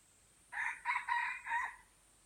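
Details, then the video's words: Crow of a white-legged F1 junglefowl from Aceh: four hoarse syllables in just over a second, the third longest and the last dropping slightly, against a low steady hiss. "Ayam Hutan Aceh # F1 Kaki Putih"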